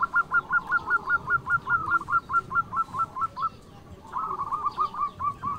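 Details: Zebra dove from a local Indonesian line, singing emotionally to lure rivals: an even run of short, clipped cooing notes, about three per second, breaking off briefly and then resuming, over a low background rumble.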